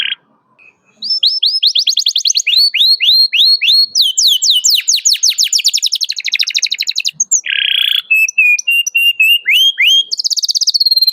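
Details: Vigorous canary song in a 'cuit cuit' rival-calling style, used as a lure for young canaries learning sounds: long runs of quick upswept chirps, dense rattling trills, then a brief buzz and more rising notes.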